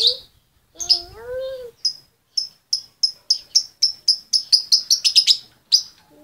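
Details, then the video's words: Calling to her mate, a female lovebird gives a few low, bending whistles, then a string of sharp high chirps that speed up into a rapid burst before ending on a single note. "SUARA LOVEBIRD BETINA MEMANGGIL SI JANTAN"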